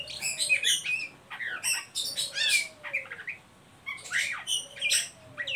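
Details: Ngeriwik calling by an Oriental magpie-robin, used to stimulate young birds to sing: harsh chattering bursts and buzzy high notes, with a soft low falling whistle repeating beneath, in rapid uneven phrases.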